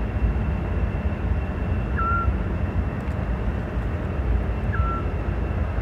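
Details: Eurasian scops owl (Otus scops) singing at dusk in May 2017 in the Manzanares Linear Park, Spain: two short, soft, mellow whistled notes nearly three seconds apart over a steady low rumble of distant traffic.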